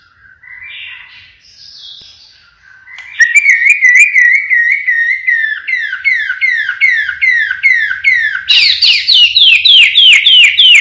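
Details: A pied-variant white-rumped shama in full song gives a loud, siren-like song: a rising whistle followed by fast repeated slurred notes, about three per second, ending in sharp falling sweeps.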